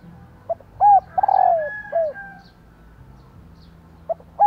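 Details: Hen spotted dove voice used to provoke male cooing: a soft lead note, a rounded arched coo, a long vibrating slide downward and a short last coo, then quiet before a new phrase starts.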